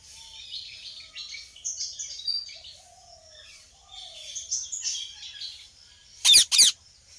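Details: Busy chorus of chirping and whistling birds, ending with two sharp, harsh squawks from a ringneck parrot.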